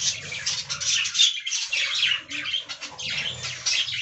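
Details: Budgerigars enjoying fresh green leaves keep up rapid, overlapping high chirps and grating warbles, with low rustling beneath.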